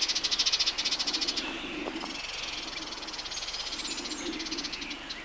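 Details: In a Matarraña riverside thicket in June 2011, a Sardinian warbler gives harsh, fast rattling chatter, one loud burst followed by softer, longer trilled stretches, with a faint low hum beneath.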